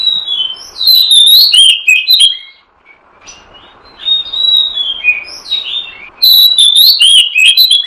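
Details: Magpie-robin lure song used by bird catchers: loud, melodious whistled phrases with sweeping pitch and quick chips, a brief hush, softer whistles, then a strong closing burst.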